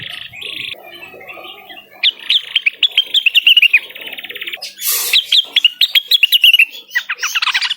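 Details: Cucak wilis singing to call a rival, a varied mix of buzzy chatter followed by long strings of fast, crisp whistled notes that rise and fall, broken once by a brief harsh noise burst.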